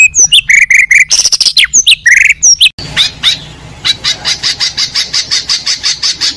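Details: Contest Oriental magpie-robin giving isian fill-in song: varied sharp whistles and squawky notes, then a steady train of bright repeated chips about three per second over light background hiss.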